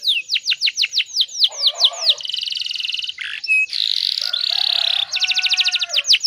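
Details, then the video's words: Canary singing as a lure for other canaries: a quick string of falling whistled strokes, then dense buzzing trills and rolls at different pitches, closing with renewed rapid whistles. "PANCINGAN KENARI BAHAN ISIAN ISTIMEWA"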